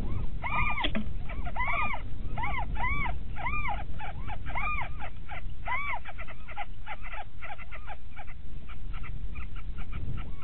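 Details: Little owl at Winterswijk, 17:30 in January 2017, around mating, giving rising-and-falling mewing calls, about one a second at first, then quicker and softer, over a steady low rumble of wind.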